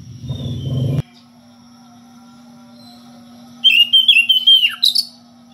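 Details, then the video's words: Oriental magpie-robin (kacer) calling a rival in ngeplong style: a short clatter of noise, a long quiet hum, then a quick phrase of bright level whistles ending with a downward slur. "SUARA KACER NGEPLONG MEMANGGIL LAWAN DENGAN VARIASI SUARA ANEH"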